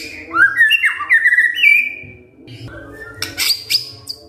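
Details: White-rumped shama singing in the kretekan fighter style, used to provoke silent shamas into answering: rapid chattering runs of clear whistled notes slurring between mid and high pitch, then a short pause and sharp, high, bright notes.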